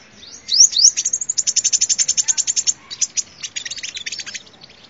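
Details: Sunbird song used to lure birds, opening with two quick upswept whistles and then a fast, even trill of high metallic notes, briefly interrupted and resumed as a ragged twitter.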